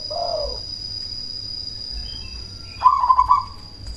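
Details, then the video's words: Cemani zebra dove used to provoke other doves into calling: a soft low coo at the start, a long quiet stretch, then a loud rapid stuttering trill near the end, with a faint constant high tone. "Perkutut cemani gacor suara BESAR pancingan ampuh bikin lawan langsung nyaut"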